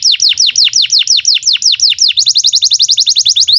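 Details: A canary (Serinus canaria) sings a long song used as a tutor track for young canaries: a tour of sharp downslurred whistles, about five a second, then a faster, higher, even trill.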